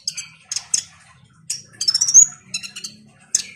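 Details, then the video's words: Actively singing konin sunbird, played as a lure to get a lazy kolibri ninja singing: scattered high, buzzy chirps and a rising thin whistle in the middle, with short gaps between bursts. "Pancingan KONIN GACOR INI AMPUH bikin Kolibri Ninja MALAS jadi RAJIN BUNYI"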